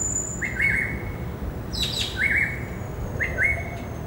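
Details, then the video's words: Greater racket-tailed drongo singing in a herb garden on a Saturday afternoon, 16 December 2017: clear rising whistled notes with a level tail, in pairs, repeated about every 1.5 seconds, with brief higher buzzy notes between. "Singing of Greater Racket-tailed Drongo"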